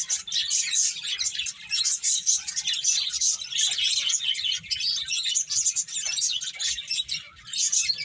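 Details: A group of finches playing, trading rapid high chirps and tweets in a continuous, lively chorus with slight rises and dips in volume.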